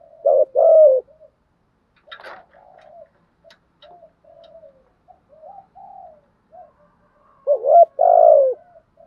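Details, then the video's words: Spotted dove giving thúc and gù style calls: loud two-part coos open and close the passage, with soft, low murmured coo notes in between and a few faint clicks. "chim cu gáy bài bản thúc với gù"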